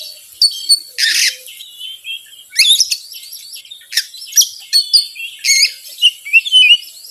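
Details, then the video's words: Oriental magpie-robin song used as a lure to provoke other birds: a grating buzz, then rapid varied whistles and scratchy notes with several loud rasping bursts. "PANCINGAN BURUNG KACER YANG SUSAH PANAS 99%EMOSI"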